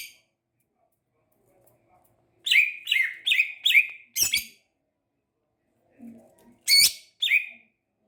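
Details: Greater green leafbird, described as a champion, delivering a quick series of four bright, falling, slurred notes, then a sharp crack and two more notes after a pause.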